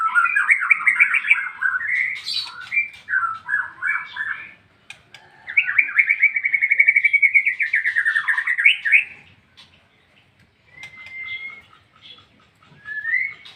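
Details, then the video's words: Extended ngeplong song from a white-rumped shama: busy, rapid warbled phrases, then a long, steady rolling trill lasting several seconds, followed by quieter notes and a few clean rising whistles. "MURAI BATU NGEPLONG-NGEPLONG"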